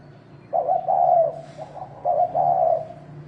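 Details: Thổ đồng cooing of a spotted dove used to provoke males into fighting: two hoarse, mellow coo phrases, each a quick stuttered lead-in followed by a drawn-out hollow note, with a low hum underneath.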